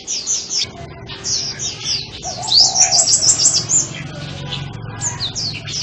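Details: Sunbird singing a fast, high-pitched twittering series of sweeping notes, dense and continuous with brief gaps, a soft low rumble beneath.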